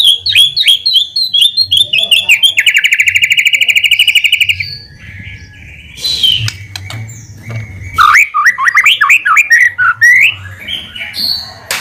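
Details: White-rumped shama in full, lively song, used as a lure to provoke a quick reply. Varied whistled notes, then a fast buzzy trill of about two seconds. After a short pause come more rapid, varied whistles and chirps.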